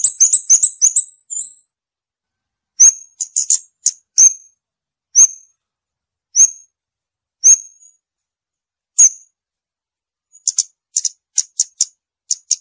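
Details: Scarlet-backed flowerpecker starting with a quick run of high, sharp notes and a short buzzy trill, then single piercing high notes spaced about a second apart, ending in a fast scatter of thin ticks.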